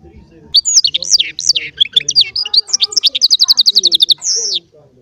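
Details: Small baster performing goldfinch song. Swooping chirps speed up into an evenly repeated rapid trill, which ends with one drawn-out buzzy note.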